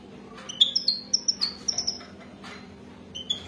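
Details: European goldfinch, Wadani type, in a mating context: a quick series of about ten thin, high, clipped tweets close together, then a pause and two more notes, over a faint steady hum.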